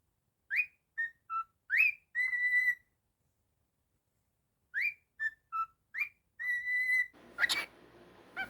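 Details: Pet cockatiel whistling a tune: a phrase of short clear notes, rising swoops and a sustained flat whistle, repeated twice, ending with a burst of rustling noise.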